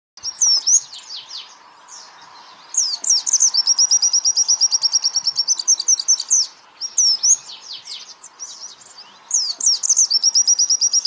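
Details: White-eye training song recording for songbirds: high buzzy chirps breaking into fast, evenly repeated trilled notes, about three per second, in bursts separated by short pauses; faint low hum underneath.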